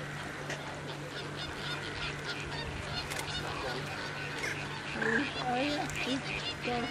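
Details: Demoiselle crane (Grus virgo) at Slimbridge gives a few short, nasal, honking calls near the end, over a steady low hum and busy background chatter.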